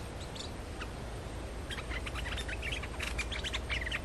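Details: Streak-eared bulbul lure song. Sparse notes at first, then from midway a dense chatter of rapid chirps and short whistles over low background hum.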